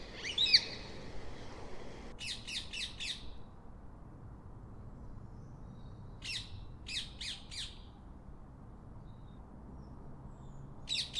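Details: Quieter rose-ringed parakeet calling: one harsh screech, then separated clusters of three or four rapid sharp notes spaced across the recording, with gaps of near silence.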